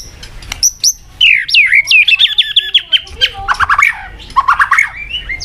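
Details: Lure song of a white-rumped shama, used to rouse a weak murai: a few sharp high notes, then a fast string of clear descending whistles and quick choppy phrases.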